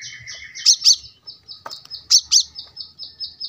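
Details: Brown-throated sunbird singing for a cage-bird training recording: thin, level whistled tones interrupted twice by pairs of sharp, emphatic high notes, with faint low background rumble.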